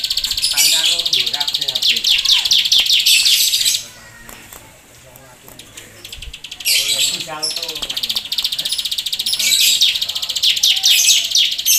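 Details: Captive Bar-winged prinia, male and female, singing: loud, high, rapid chattering trills in two long bursts separated by a short pause, with fainter lower voices underneath.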